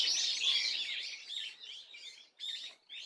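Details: Swallow on 30 April 2024: a loud opening spell of squeaky, high twittering fades into softer, scattered chirps, then a few short chirping bursts near the end.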